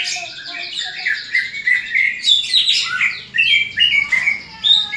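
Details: Greater green leafbird fighting call, used to sharpen the fighting spirit of other leafbirds: a run of slurred whistles climbing into shrill, squeaky chatter, delivered fast and loud throughout.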